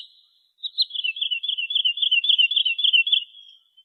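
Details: Sandpiper producing a fast, steady trill of high pulsed notes that runs nearly three seconds before tapering off, with a brief softer note at the end.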